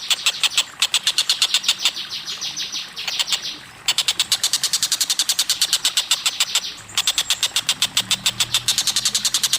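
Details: Collared kingfisher (tengkek buto), a training track for cage birds: long runs of harsh, rapid, evenly spaced notes at about six per second. The runs break off briefly near four seconds and seven seconds, then resume.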